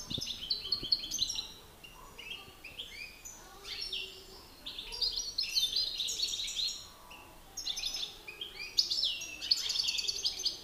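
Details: Male European goldfinches competing in song, a master bird against an excited one: lively bursts of bright twittering and buzzy trills in repeated phrases with brief pauses between them.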